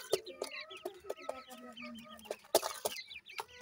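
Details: Grey francolin chicks while feeding: repeated short chirps among regular sharp taps, with one loud click near the middle.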